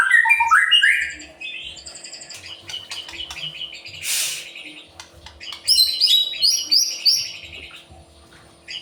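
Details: White-rumped shama singing to stir other birds into song: quick swooping phrases, then quieter scratchy notes and a harsh burst, ending with high, rapidly repeated whistled notes.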